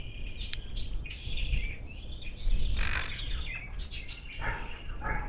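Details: Monk parakeets, wild, visiting a bird feeder near Houston, Texas, on 10 March 2021; loud grating screeches and chattering notes in quick overlapping bursts, a few stronger squawks near the end, low rumbling noise underneath.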